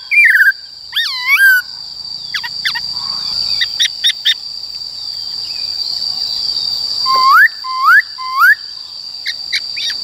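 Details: A male silver-cheeked laughingthrush sings loud, clear whistled phrases with rising swoops repeated in quick runs, over a steady high insect-like drone.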